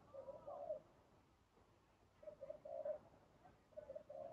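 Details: Spotted dove heard during trapping with a decoy: soft, low cooing phrases of two or three mellow notes, repeated in short bursts with pauses between, faint against a quiet background.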